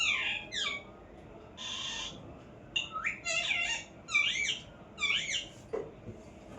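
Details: Shrill parrot calls: sharp descending notes, a flat harsh screech, then several loud, wavering squawks in quick pairs, with a soft thump near the end.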